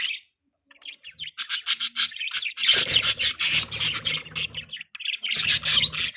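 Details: Rapid budgie twittering: dense, high, buzzy chirps repeated several times a second, swelling into a louder run with faint low rustling beneath.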